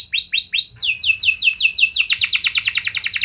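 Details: Canary song used as a lure for other canaries: three looping upswept notes, then a rapid run of descending sweeps speeding into a fast rhythmic trill.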